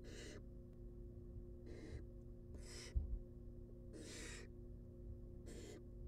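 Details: Nestling barn owls, wild and being fed inside a nest box, repeat rasping hiss-like screeches, five bursts about a second apart, each roughly half a second long, against a constant low electrical drone.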